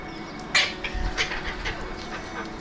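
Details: Alexandrine parakeets, also called mountain or pahadi parrots, in Mumbai, India, watched from a window: a loud harsh screech followed by shorter rasping squawks over about a second, against a steady low urban hum.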